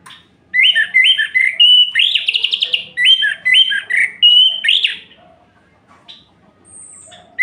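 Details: Night song of an orange-headed thrush, meant to rile rival males: rapid runs of repeated whistled and slurred notes, some buzzy and trilled, for about four and a half seconds, then soft faint ticks and a high whistle.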